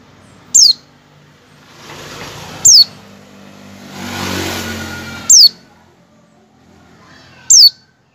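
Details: Oriental white-eye giving 'ngecal' calls, used as a lure to get other white-eyes to open their beaks and sing: four sharp, high descending notes about two seconds apart over a low rumble of passing traffic.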